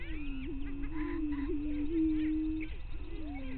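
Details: Greater prairie chickens displaying at a lek near Glyndon, northwestern Minnesota, early morning of May 9, 2023: deep droning boom throughout, overlaid with chattering cackles and short rising whoops.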